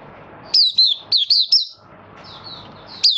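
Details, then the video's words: Kept Malaysian Mata Puteh (Oriental white-eye) opening its song, in minor moult, 24 August 2023. Five clear, high, downslurred whistled notes in quick succession, then softer twittering and one final sharp note. "Malaysian Mata Puteh Buka Sing"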